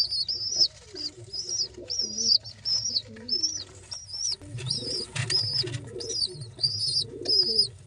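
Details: Baby pigeons begging while being fed: thin, high squeaky peeps repeated about every half second, mixed with lower, wavering arched notes, indoors.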